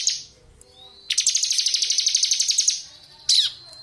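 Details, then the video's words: Ciblek kristal, a bar-winged prinia singing busily in ngebren style, used as a tutor recording for magpie-robins: a thin high note, then a fast dry rattle of evenly pulsed buzzy notes for about a second and a half, ending with a sharp chip. "CIBLEK KRISTAL GACOR NGEBREN COCOK UNTUK MASTERAN SUARA JERNIH"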